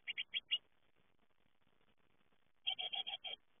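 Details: Young great tits fledging from the nest give short runs of rapid buzzy chirps, four notes at the start and five after a pause of about two seconds, against a quiet background.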